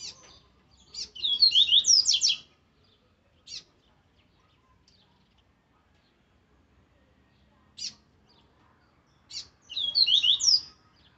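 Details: An aggressive Rusty-collared Seedeater gives strong song in two bursts of rapid, high, twittering warbles, each just over a second long. Single sharp chip notes fall in the pauses.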